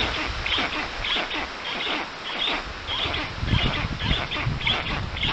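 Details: Black stork at a forest nest in Puszcza Notecka, Poland, on 13 June 2019 at 14:23, as a strange adult visits the storklets; harsh calls repeat quickly, roughly two a second, over a low rumbling background.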